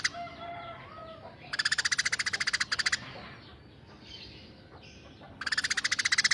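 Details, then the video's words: Eurasian tree sparrow, tame and calling constantly, in rough 'tembakan' style: faint chirps at first, then two short bursts of rapid buzzy pulses separated by a quieter gap with soft background sound. "Burung Gereja Gacor Jinak Tembakan Kasar"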